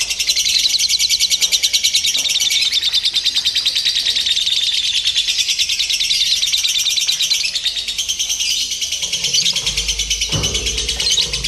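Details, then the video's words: A long, unbroken stretch of shrill, buzzing chatter from a lovebird being trained with simulated singing-competition sounds, beating evenly about three times a second, with a brief low thump near the end. "SIMULASI LOMBA TERBARU : TERBUKTI AMPUH MELATIH MENTAL LOVEBIRD"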